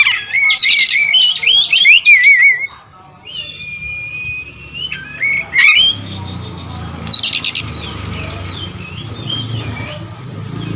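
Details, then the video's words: Varied song of an all-black kacer wulung magpie-robin. Bursts of high trilled notes and wavering whistles come first, then a quieter stretch of long level whistles and a late high chattering burst, with faint low background rumble. "Adu spek raja kacer materi segudang kacer wulung"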